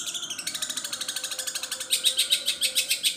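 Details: Long-tailed shrike singing a long song mimicking other birds; rapid buzzy chattering notes repeated several times a second, growing louder partway through, with a faint low hum beneath.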